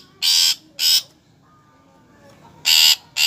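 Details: Rasping, scratchy bursts from a long-tailed shrike: two quick harsh notes, a pause of over a second with faint thin whistles, then two more grating bursts.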